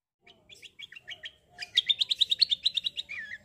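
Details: Black-winged myna in a rolling competitive song: soft spaced notes speeding into a fast, even trill of about fifteen repeated chirps, ending in a short descending whistle.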